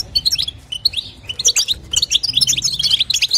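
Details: A female European goldfinch gives a stimulating call for the male, styled batbata and sastasa locally: bright, high, tinkling notes in quick clusters, with a short gap before the chatter resumes.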